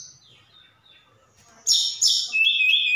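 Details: Energetic Javan bush lark from Sukabumi, its song stuffed with imitations such as cililin and sikatan londo: faint whistles, then two loud buzzy high bursts and a rapid trilled whistle.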